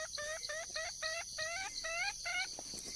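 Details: Wild junglefowl hen calling for a male: bright, harmonic notes, each sliding slightly upward, given in a steady run of about seven calls over three seconds, over a constant high, shrill insect drone.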